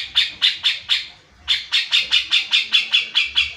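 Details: A Grey-cheeked Bulbul, used as a lure recording to get reluctant bulbuls singing, gives a run of harsh, scratchy notes, four then a brief pause, then about ten more at roughly four per second.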